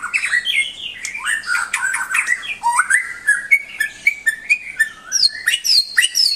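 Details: White-rumped shama in full, continuous song, recorded as a tutor for pet birds. A varied stream of looping whistles, chattering notes and mimic-like phrases, closing with high, quick repeated notes. A faint low hum continues throughout.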